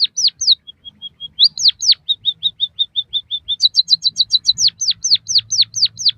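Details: Captive-training recording of white-headed munia song: descending whistled notes, a soft level piping series, repeated short chirps, then a rapid high twittering burst and more falling whistles.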